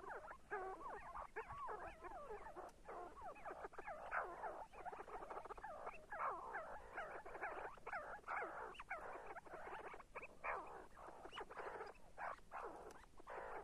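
See-see partridges give a dense chorus of rising and falling whistled notes, many overlapping and repeated without pause, with a steady background hiss.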